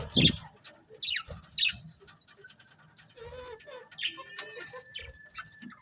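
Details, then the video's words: Colourful budgerigars chirping: quick high chirps and short bright notes in bursts, then softer chatter and a thin steady whistle near the end. "Beautiful Colourful Budgies Chirping Sounds"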